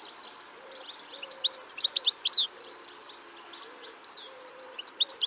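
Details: European goldfinches recorded in Spain: a burst of high, tinkling twittering notes lasting about a second, then a quiet gap before more bright twitters begin.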